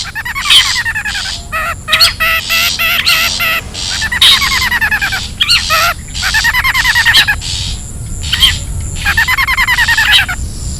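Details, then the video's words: Wild long-tailed shrike lure recording: dense series of nasal, buzzy, trilling phrases, each about a second long with a quavering pattern. Rough rasps between the phrases. "SUARA ASLI PIKAT CENDET,PENTET ALAM LIAR"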